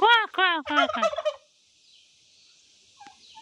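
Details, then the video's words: Hen turkey from a Nepali village uttering a fast series of loud, nasal "kor kor kor" notes for about a second and a half, then near silence with faint clicks. "Turkey 🦃 Hen Sounding Kor Kor Kor"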